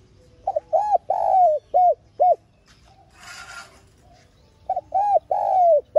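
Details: Calling and urging spotted dove, a trapping decoy sound: a full cooing phrase of double note, arched coos and a long falling coo, a brief rustling noise in the pause, then the phrase begins again.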